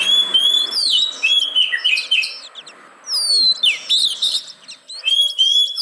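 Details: Lure of oriental magpie-robin song to rouse reluctant caged birds: loud, varied whistles and buzzy chirps in quick phrases, one long descending slur, then more bright notes.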